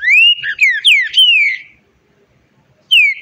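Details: Green-winged saltator song: a loud, clear whistled phrase of slurred, rising-then-falling notes lasting about a second and a half. A pause follows, then another falling whistle begins.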